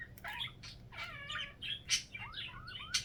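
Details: Indoor pet budgerigar giving a chain of short, bright chirps and squeaky whistled notes, some rising and some falling, at about one a second, with sharper clicks between them.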